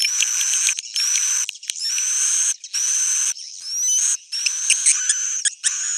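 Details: Roosting call of edible-nest swiftlets, used as a lure to draw birds in: bursts of shrill, buzzy twittering broken by short silences, with occasional thin upslurred whistles and sharp chips.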